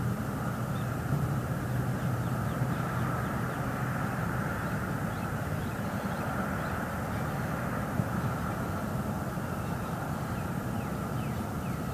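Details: Steady, broad engine-like roar, as of passing aircraft or traffic, fills the recording with no clear animal calls.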